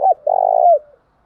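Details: Spotted dove lure cooing used to attract wild doves: a short, loud clipped note followed by a long, steady, hollow coo that bends downward at its end, then fades.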